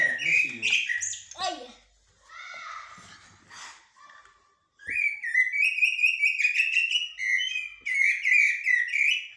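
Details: Common blackbird singing in blacksmith-like and military styles. Rich whistled phrases open the recording, quieter notes follow, then after a brief pause comes a fast, dense string of bright fluting notes with sharp upper overtones.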